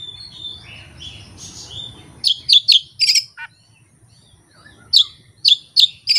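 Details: An Oriental magpie-robin (kacer) sings its repertoire unprompted by tutor tapes or a rival. Soft warbled notes open, followed by a string of loud, crisp high chirps in two groups separated by a short silence.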